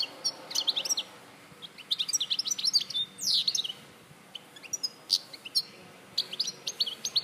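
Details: European goldfinch from Larache, recorded in 2014, singing a fast run of tinkling, twittering high notes and short buzzy trills, with brief pauses between bursts.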